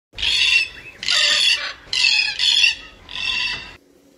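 A cockatoo gives four loud, harsh, raspy screeches, each about half a second long, roughly one per second.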